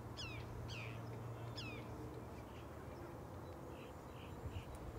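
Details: Canada goose (Branta canadensis) hatchling goslings relaxing on the shore with their family give high, thin downslurred peeps, three quickly then softer ones, over a steady low rumble of wind or background noise.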